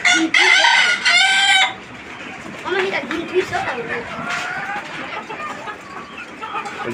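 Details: Desi chicken at a native-hen farm with 29 free-range layers: a loud, grating crow lasting under two seconds, followed by scattered low clucks and chatter from the flock, with people talking in the background.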